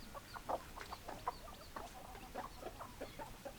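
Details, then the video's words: Chickens clucking in short, evenly scattered low notes, several birds answering each other, plus faint thin higher calls in the background. "Chicken Sounds Noises Hens Clucking Roosters Crowing"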